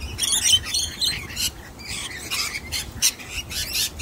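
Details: Short grating squawks and scratchy chatter from a young wild sulphur-crested cockatoo, uneven and repeated, recorded outdoors while it disregards a nut-hiding trick.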